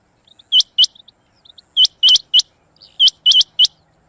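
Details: A female rain quail gives sharp, high, clipped whistled notes in quick pairs and triplets, three bursts over four seconds, against a quiet background.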